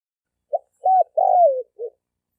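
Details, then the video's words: Male spotted dove calling to stimulate females, 2020. A brief opening note is followed by an arched coo and a long slurred coo that droops at the end. A soft low closing note finishes the phrase. "Tiếng chim cu gáy trống kich mái kích bổi"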